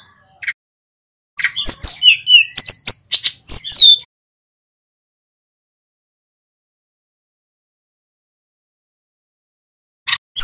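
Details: Short burst of rolling song from a male Hill Blue Flycatcher of Pacitan, full of imitated phrases. About two and a half seconds of mixed chips, whistled slurs and buzzy notes, then long silence before a final faint note.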